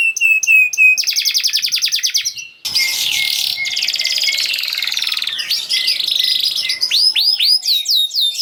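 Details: Canary song used to prompt quiet canaries to start singing: fast trills of repeated high notes, whistled upward sweeps and buzzy stretches, switching rapidly between phrase types.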